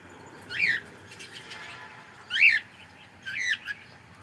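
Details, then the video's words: Three clear, rich chirps from a cockatiel saying good morning, each a bright, bent note with stacked overtones, about a second apart, with a soft murmur between the first two. "ShonaTheCockatiel saying gud morning"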